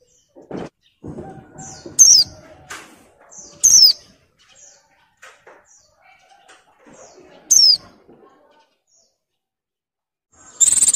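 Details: Moulting female Oriental white-eye in breeding condition, ngalas calling to draw males: sharp, high descending whistles given irregularly, four over eleven seconds, separated by quiet stretches with faint rustles and taps.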